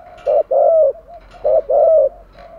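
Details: Spotted dove acting as a lure for wild doves, two rounded coo phrases, each a clipped note leading into a fuller, sliding hoot.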